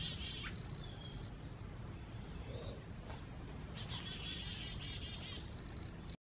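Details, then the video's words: Songbirds mobbing a screech owl give thin, high chips and short twittering notes, scattered and overlapping, over a steady low rumble of background noise. Finding: songbirds. "Screech owl mobbed by songbirds"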